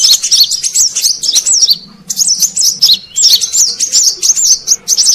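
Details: High, rapid twittering of a brown-throated sunbird used as a wild-bird lure, in three phrases of sharp chirps and descending slurred whistles with short gaps.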